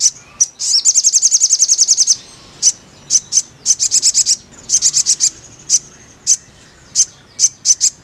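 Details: Crimson sunbird in therapy singing meant to make a caged bird sing: a rapid high trill of repeated chirps lasting over a second, then spaced short piercing notes and brief clustered bursts.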